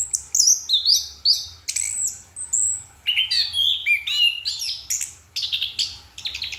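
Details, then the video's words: Kept orange-headed thrush sings at night, a fast varied medley of high whistles, downslurred notes, buzzy trills and mimicking-style twitters, phrases following each other with short pauses; steady low background hum. "Anis kembang sedang menikmati goyangan malam"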